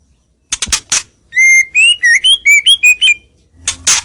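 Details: White-rumped shama (murai batu) lure song meant to draw rivals closer: a few sharp clicks, then a run of about ten loud clear whistled notes at varied pitches, each slightly slurred, ending with harsh scratchy notes.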